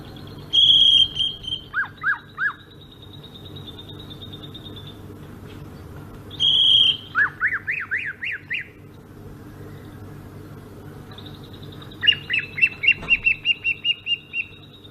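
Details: Greater green leafbird from Sumatra singing its rolling ngerol song: bright whistled notes, then quick rising-and-falling warbled rolls in short bursts, a long high buzzy trill near the end, with low background hum.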